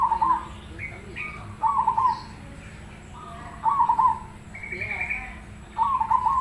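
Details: Black cemani zebra dove singing in a way said to prompt other doves to answer. Trilled, purring coo phrases repeat about every two seconds, each led by a short higher note, over a faint steady hum.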